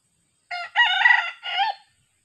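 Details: Young decoy junglefowl in training, recently recovered after being attacked by a leopard cat, gives a short harsh crow in three parts: a brief opening note, a long strained middle section, then a falling tail, with no other sounds.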